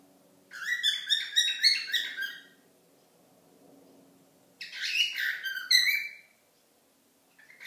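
A cockatiel gives two bursts of rapid, harmonic chirps and warbling squeaks, separated by a pause.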